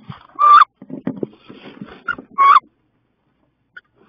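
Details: Two female wood ducks in a ferocious nest-box fight in mid-May: two loud rising squeals about two seconds apart, with scuffling, scraping and thumping noises between them.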